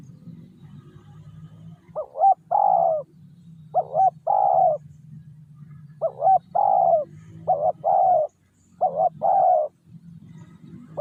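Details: Coos of a decoy spotted dove luring wild doves. Short hooked notes lead into longer rolling coos in grouped phrases, over a steady low hum.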